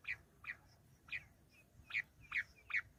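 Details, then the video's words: Short, squeaky, slightly descending notes from a bush quail, about six in three seconds, irregularly spaced, with faint notes in between. "Amazing quail sound 👌 full girenti sound || battair shikar awaaz 🎶 Bush quail sound check"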